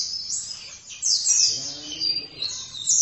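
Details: Oriental white-eye sings a rapid, high-pitched twittering song of thin, sweeping notes, with a faint low hum underneath.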